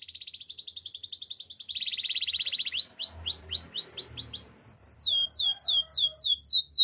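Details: Singing canary: a fast buzzy rattle, then a flat lower trill, then rising and falling sweeping whistles repeated several times a second, growing louder.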